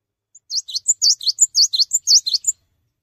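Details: Gelatik batu, the Cinereous tit, singing vigorously without jumping: a faint opening pip, then a two-second burst of about a dozen shrill, sharply inflected notes in alternating pairs, in an otherwise quiet setting.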